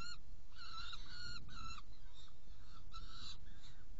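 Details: Saker falcon, Hungary, 16 June 2018 at 18:57, prey delivery and feeding two young: three or four rasping, nasal calls, a quiet gap, then a softer pair, with deep background rumble throughout.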